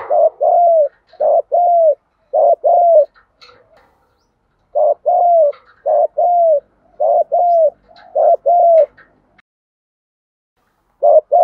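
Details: Spotted doves, male and female, cooing to lure wild doves and train decoy birds. Paired hollow coos repeat in bursts of four to five pairs, with a pause midway, a faint chirp or two and a quiet ending.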